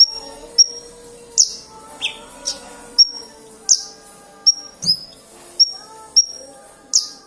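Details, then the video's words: Sparse song from a black-winged myna: isolated sharp, high whistled notes spaced about half a second to a second apart, with a low humming tone in the background. "Branjagan gacor"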